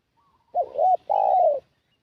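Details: Spotted dove call used as a lure for wild doves, one phrase of two coos: a brief dipping note, then a drawn-out smooth tone that sags gently at the end, with a faint thin note just before.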